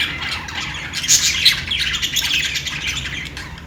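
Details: Budgerigars, Australian parrots, in dense chatter: rapid overlapping scratchy chirps and squawks, several each second, with sharp squeaky peaks in the middle, over a low hum.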